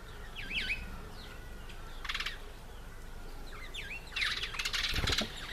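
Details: Feeding African green pigeon (Treron calvus) with an apple: whistled V-shaped notes, a brief pulsed rattle midway, then a louder stretch of crackling bursts and looping whistles at the end.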